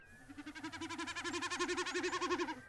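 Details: A snipe in Shetland drums during the April-to-July breeding season, making a hollow bleating tremolo of rapid pulses, about ten a second, that swells louder over nearly three seconds.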